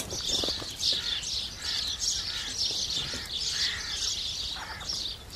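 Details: Several house sparrows chirping steadily while they feed; short high notes overlap in a continuous chattering mass, louder in bursts about every second.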